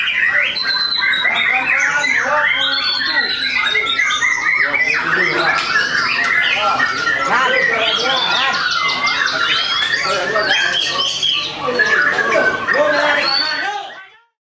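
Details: Captive white-rumped shamas, bred in Tasikmalaya, Indonesia, singing in a contest simulation: fourteen seconds of loud, crowded kretekan song, fast chattering notes about three or four per second, piercing whistles and mimicked phrases, fading out at the end.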